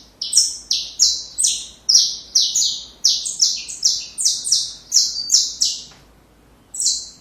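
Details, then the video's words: Saffron finch singing a training song for young birds: a rapid series of buzzy, slightly descending notes for about five seconds, then a short silence and one final note. "Canário da Terra Canto Perfeito Para filhotes"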